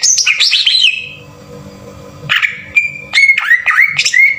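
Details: Rough 'tembakan kasar' green leafbird song used as a lure to trigger singing: a quick tumbling series of high slurred notes, a pause, then level whistles and looping upslurred phrases.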